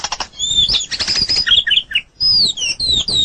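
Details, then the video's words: White-rumped shama song from a long master recording for training songbirds: bright, varied whistled phrases, some rising and falling, broken by a short pause before another rapid run of clear notes. "Ocehan Suara Burung Murai Batu"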